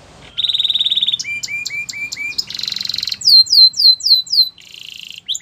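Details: Canary training song: a fast even trill, short rising chirps, a dense buzzy rattle, then a run of bright falling slurred notes and another steady trill.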